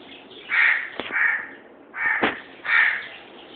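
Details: Pet lovebirds, two kept together, making four coarse, raspy squawks in two pairs separated by a short pause, with sharp clicks mixed in.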